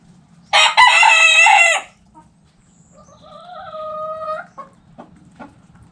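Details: Backyard rooster gives a loud harsh crow of over a second, followed by a hen's drawn-out tonal cackle and a few soft clucks in a quiet yard.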